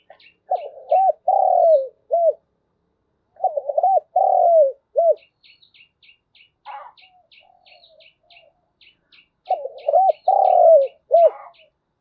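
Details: Spotted dove decoy cooing in the morning to attract wild doves: three repeated phrases of quick arched coos and a long falling coo, with faint high chirping from another bird in the pauses.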